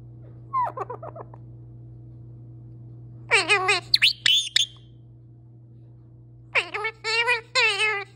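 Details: Male pet parrot talking at length: a quick run of soft stuttered syllables, then louder rasping, speech-like phrases and a closing series of clipped, harmonic notes, all over a steady low background hum.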